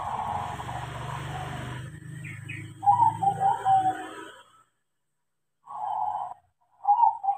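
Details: Trained, tame crossbred perkutut, a zebra dove, sings rolling mid-pitched coo phrases after a stretch of loud background noise and rumble; further short coo bursts follow after a pause.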